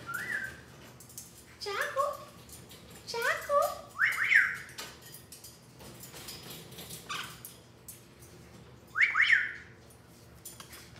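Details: Pet Amazon parrot indoors crying for attention after being left alone: scattered whistled and squawky notes rising and falling, some in quick pairs, with pauses, soft talking and clicks in the background.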